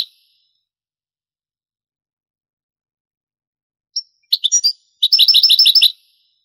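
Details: European goldfinch singing in the Granada style, taken from an old Spanish tape of the 1980s–90s later transferred to CD: after four seconds of silence, a single high note, then a short burst of bright, tinkling, rapidly repeated twittering notes.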